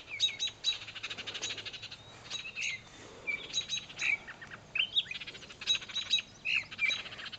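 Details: Parent birds, thought to be Baltimore Orioles, scold a person standing near their fallen baby on the ground with harsh, dry rattling chatters in quick bursts, mixed with short high whistled notes.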